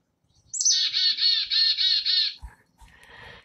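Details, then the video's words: A black-capped chickadee, common in southern Wisconsin, gives its chickadee-dee-dee call: a thin high opening note, then a rapid string of harsh, buzzy dee notes over about two seconds, then a few faint softer calls; more dees signal more anger. "So chickadees also kind of say their name. They say chickadee-dee-dee. So I'll play that one next."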